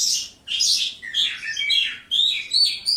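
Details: Lark kept in a one-metre-high cage delivers rich, varied phrases of bright whistles and warbles, some notes sweeping down, in quick succession.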